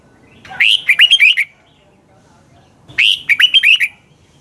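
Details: Morning song of a red-whiskered bulbul used for training: two rich phrases of a rising whistle followed by quick looping notes, with a quiet gap of about one and a half seconds.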